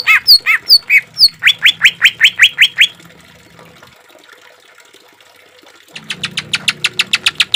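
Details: Green leafbird harsh 'shot' song for training caged birds: a few downward-swooping whistles, a quick run of rising notes, three seconds of near quiet, then faint rapid ticking notes.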